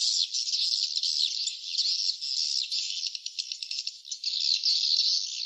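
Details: A colony of swiftlets at the nest sites, a continuous high buzzy twitter with clicking rattles in the middle and a smoother stretch at the end.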